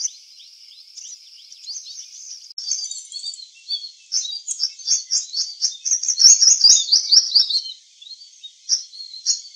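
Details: High, thin song from an eclipse-plumaged purple sunbird in a garden: quiet ticking notes at first, then bursts of quick, shrill, jumbled chips that grow loud before fading.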